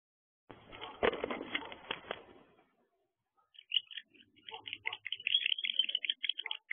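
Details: Wild barn owls in a nest box during an altercation on an evening in December: a harsh, noisy screech lasting about two seconds, a pause, then rapid, high, clicking chatter.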